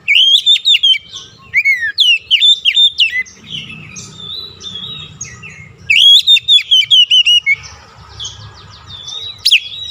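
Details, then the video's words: White-rumped shama song played to make a stressed, silent shama sing: two bursts of loud, rapid whistled and chattering notes with sharp upward sweeps, separated by quieter twittering. "KICAUAN PEMIKAT DAN PERANGSANG BUNYI | Kacer stres macet bunyi langsung gacor"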